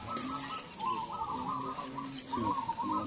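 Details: Local zebra doves singing at a bird song contest: soft, rolling, bubbly coos in quick trilled bursts, with a deeper purring coo beneath, over steady background murmur.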